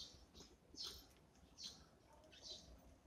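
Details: Breakfast for a Eurasian tree sparrow in the morning: three clear, high, slightly slurred chirps spaced almost a second apart, with a quiet low rumble behind.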